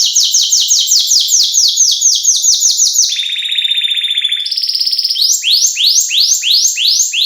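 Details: Canary, a female luring the male, in the 'cengkok isian' style used for luring and tutoring: loud rapid sweeping notes, a lower buzzy roll, a higher steady roll, then the sweeps return.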